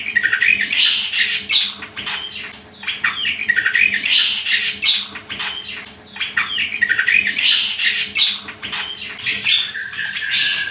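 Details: Greater green leafbird song as a master recording for training birds: long run of varied squawky, chattering and whistled phrases, loud bursts separated by short quieter gaps, over a faint hum.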